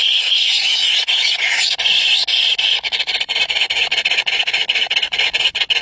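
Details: Three hungry baby birds begging, a dense continuous shrill squealing chorus held high in pitch, broken by rapid rasping clicks that grow more frequent in the second half.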